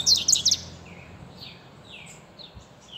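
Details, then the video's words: Seedeater giving a brief burst of high, sharp chattering notes at the start, followed by a few softer, thin, descending calls over quiet background hiss. "corbata cantando"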